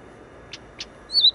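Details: Blyth's reed warbler song fragment in Wola, Warsaw, Poland, near the West railway station: two short, dry, mid-pitched notes a quarter-second apart, then a higher, clearer slurred whistle, over faint background hiss.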